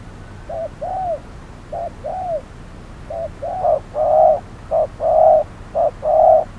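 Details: Decoy spotted dove calling during trapping in hot midday weather, facing a wary wild dove: paired low coos, a short note then a longer arched one, repeated about once a second, later pairs louder and fuller.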